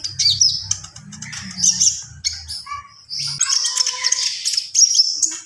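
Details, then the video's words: Javan pied starling singing in lively gacor style with full isian fills: dense high chattering and squeaky whistled phrases, a short low whistle near the end, with low hum underneath. "SUARA KONIN GACOR FULL ISIAN"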